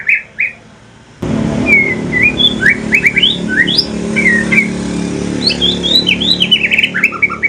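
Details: Evening song of a mutated pastol white-rumped shama from Aceh: whistled upslurs and quick rising notes building into a rapid chattering run, with continuous low rumbling noise behind.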